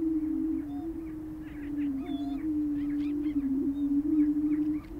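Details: Prairie chickens displaying at a booming ground in Minnesota, USA: a steady, low, hollow moaning hum runs unbroken through the clip, with short cackling and whooping notes scattered above it.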